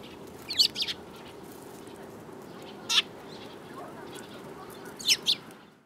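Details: Sparrows, several birds, March 2018: a few isolated sharp chirps, a paired burst early, a single note midway and another pair near the end, separated by quiet stretches of background hiss.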